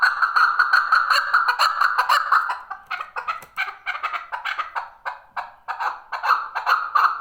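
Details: Chukar partridge, a male, calling with a loud, rapid rattling cackle of repeated hoarse notes, about two or three per second, sustained without pause.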